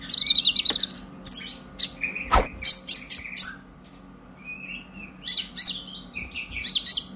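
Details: Captive young brown-breasted purple-throated sunbird, past its spotted stage, singing an excited chattering song meant to prompt other birds: bright high chirps and quick whistles in bursts, a short lower warble, then more rapid squeaky notes.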